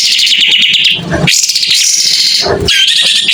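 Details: Clear, loud song of a white-rumped shama fanning its tail: a long, high, wavering warble held for about a second, a second bright sustained phrase, then another high run, with a low rustle between phrases.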